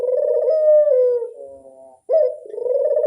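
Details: Barbary dove lure call: a loud, rolling purring coo lasting about a second and a half that tapers into a softer trailing note, then the next coo starts abruptly.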